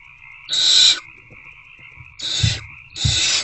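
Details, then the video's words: Owlets begging with hunger in a nest box at 8:13 pm, late February 2024, while attempting to eat a rodent: three rasping hiss bursts, the first longest, over a constant background hum. "Hungry Owlets Try Again to Eat The Rodent."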